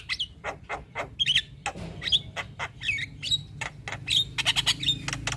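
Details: White-eyed Javan myna (jalak kebo) nodding during its full isian song, a fast jumble of short clicks, ticks and thin twisting whistles delivered almost without pause.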